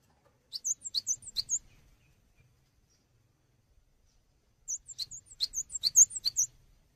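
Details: Cinereous tit singing lively, recorded as a tutor for songbirds: two bursts of high alternating two-note phrases, each about a second long, separated by several seconds of silence.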